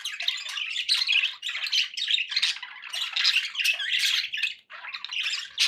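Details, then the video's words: Budgerigars kept as pets give harsh, rasping squawks and rapid warbles in a near-continuous stream, with one short pause near the end. "budgie sounds for pet birds"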